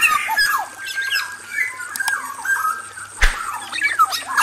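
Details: Black-naped oriole male kept in an aviary enclosure calls for a female. Dense run of nasal, down-slurred squawks and sliding whistles, one sharp click midway, busy steady phrasing.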